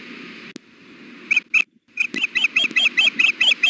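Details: Female osprey on the nest at Hellgate, June, hot weather, fussing for food. Two sharp chirps, a short break, then about ten rapid, slightly rising whistled yelps in a steady series over low background hum.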